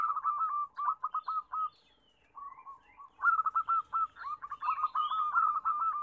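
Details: Local loud-voiced zebra doves singing a lure meant to coax silent doves into song: bursts of fast staccato cooing trills separated by short quiet gaps, with soft higher chirps from other birds.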